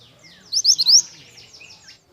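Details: Pied bush chat singing actively: a rapid phrase of four high upswept whistles, then a trail of softer, lower chirps and twitters over a quiet low hum.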